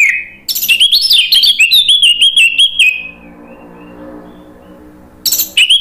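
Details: Orange-headed thrush singing a loud, continuous ngeplong style song meant to coax other birds into answering: a rapid run of clear whistled and chattering notes for about two and a half seconds, a pause, then a fresh burst.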